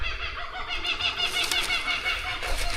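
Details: Kookaburras in Australian bushland among rocky, densely vegetated country with paddocks and a dam, "going crazy" in full laughing chorus: loud, overlapping cackling hoots rolling and rising together without pause, with a faint low rumble beneath.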